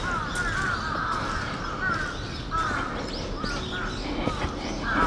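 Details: Crow giving what is said to be earthquake-warning calling, recorded 4 November 2015 in Japan; scattered harsh, slightly descending caws spaced irregularly over a few seconds, against constant outdoor background noise.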